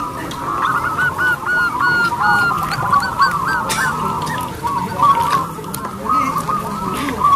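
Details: Zebra dove of local crossbred stock, singing loudly as a lure for other doves: bursts of quick, hooked, ringing coos in short rows, backed by a continuous murmur of more doves.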